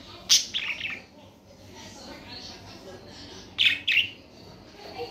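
Budgerigar chirps in two short bursts of sharp, high chattering notes, the first near the start and another about three seconds later, over a quiet background hiss.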